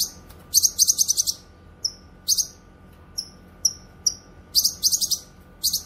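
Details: Cucak kinoy song for training and luring: quick chattering bursts of high buzzy notes alternate with clean, descending whistled slurs, ending in another rapid chatter.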